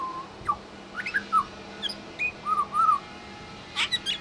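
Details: Pied Butcherbird singing in suburban Brisbane, Australia, copying local sounds such as phones, alarms, dogs and other birds; a string of clear whistled and slurred notes, several short upslurs and a burst of higher chirps near the end.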